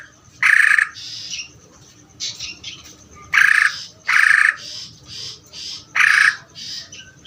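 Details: Greater green leafbird singing ngeder: loud, scratchy, buzzy bursts mixed with softer chattering notes, uneven in spacing, with about four strong bursts over seven seconds.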